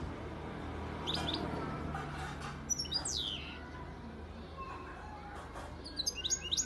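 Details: Singing European goldfinch, hatched 2019, from Antalya, Turkey. A single sweeping downslurred note and sparse chirps come through a steady low hum, ending in a quick cluster of high twitters.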